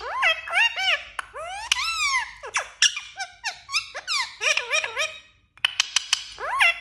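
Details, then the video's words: Talking parrot producing a quick run of squeaky, voice-like phrases with bending, rising and falling inflections, some sharp clicks between, a short silent gap near the middle, then more chattering phrases; quiet indoor setting. "Talking Parrot"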